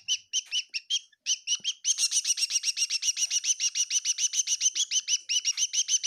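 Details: Bird chirping inside a kitchen in Tseminyu, Kohima: high, thin chirps, at first in short spaced bursts, then a rapid unbroken run of about four bright notes per second.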